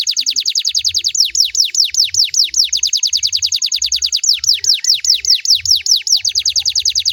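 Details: Canary song used to stimulate other canaries to sing back: one long, steady roll of very high, sharply falling notes repeated about two to three times per second, clear and loud throughout.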